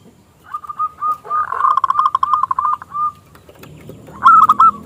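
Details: Local zebra dove with a small, crystal-toned voice, kept to provoke rival doves into song: a steady string of soft, rolling coos, louder in the middle, with a bright phrase at the end.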